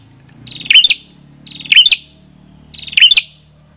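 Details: Prenjak kepala merah singing: three loud phrases about 1.2 seconds apart, each a short buzzy trill rising into sharp, bright chipping notes, over a quiet low hum.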